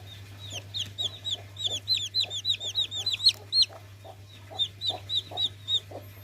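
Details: Chicks peeping in a fast, busy run of high, thin, downward-slurred cheeps, several in quick succession with a short pause midway, over a steady low hum.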